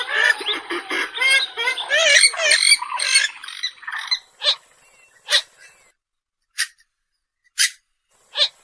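Purple swamphen giving a noisy, nasal run of rapid squawking notes for four seconds, followed by five sharp, separate clucks spaced about a second apart.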